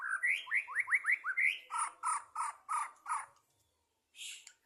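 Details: White-rumped shama at a 2023 songbird competition: a rapid series of rising whistled upslurs, then a string of about six buzzy, harsh repeated notes, a brief pause and one final high chirp.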